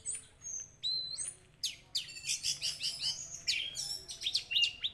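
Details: Orange-headed thrush song for luring a bird to sing: a dense, rapid medley of very high chirps, thin whistles and twittering notes with barely a pause.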